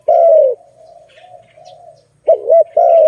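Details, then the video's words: Zebra dove, called Malay dove, at a trapping site: a long falling coo, a soft murmuring pause, then a double-humped note and another extended coo. "Lovely dove- Video lovely Malay dove, Sound of good dove"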